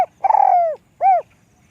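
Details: Spotted dove, described as having a small, light voice: a long tremulous coo sliding gently downward, then one rounded arched note, in quiet surroundings.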